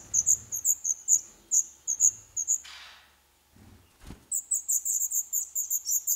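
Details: Nestling black redstarts, 11 days old, calling from a nest in an old stove pipe in Poland. High, piercing begging peeps repeat unevenly, broken by a rustle and a thump, then resume as an excited overlapping chorus.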